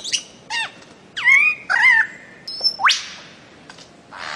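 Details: Varied bird-of-paradise notes: short harsh calls, drawn-out wavering whistles, a high steady tone and one fast upward sweep, ending in a soft hissing rush.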